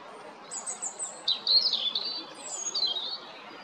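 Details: Recorded on 13 April 2022 at Jarun, Zagreb, Croatia, a European robin sings a varied phrase: thin sustained whistles sliding into quick, liquid, warbled notes.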